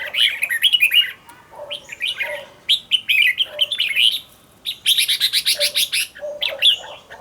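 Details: A decoy red-whiskered bulbul in training sings dense warbled phrases, then a rapid buzzy, rattling burst of repeated notes, followed by further quick slurred whistles.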